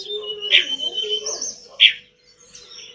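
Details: Pied bush chat song from a master recording for pet bird training, with a thin sustained whistle broken by two loud harsh chirps and fading trills in the background.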